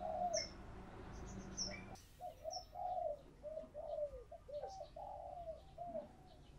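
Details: Spotted dove kept as a lure, cooing to draw in wild doves: brief high chirps and a hum, then a series of soft, even, low coos ending with a slightly rising note.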